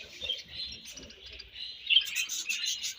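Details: Continuous high, twittering budgerigar warble during feeding, rippling chirps that grow louder and brighter toward the end.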